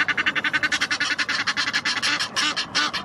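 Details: Aggressive Egyptian geese defending their territory at the Blies, Ludwigshafen am Rhein, Germany: rapid harsh honking calls repeated about nearly three times a second, dense and continuous throughout.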